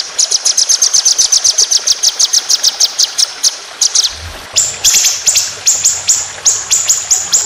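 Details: White-rumped shama for contests delivering a rapid trill of about twenty-five sharp high notes in under four seconds, then slower, strong, ringing notes, 'tembakan panjang roll speed' style.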